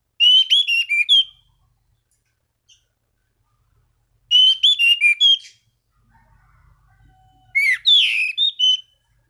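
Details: Orange-banded thrush singing to challenge rivals and set other thrushes singing: three separate phrases of quick, varied whistles and slurs, with a faint low rumble between the second and third phrases.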